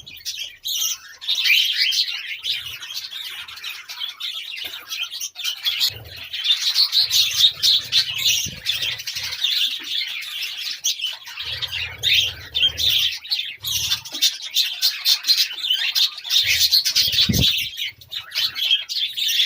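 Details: A budgerigar chick begs with rapid, high, scratchy chirps while being fed by its father.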